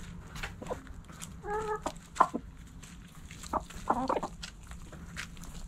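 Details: Hens clucking in a backyard coop: short harmonic clucks and a few drawn-out, stacked calls near the middle and end, separated by quiet gaps with faint background hum.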